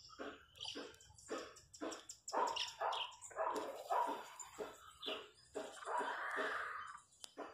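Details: Dense chorus of chachalacas in the countryside: rapid, overlapping harsh bursts, then a longer grating note and a few scattered calls.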